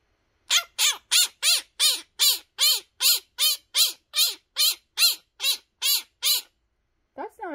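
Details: Male pet Quaker (monk) parrot chattering, a bird that also mimics pig and dog noises, gives a steady run of harsh, raspy squawks, about two or three each second.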